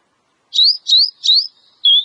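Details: Wild Oriental magpie-robin song: three rising whistled notes in a steady series and a final flatter whistle, clear and loud with no other sounds.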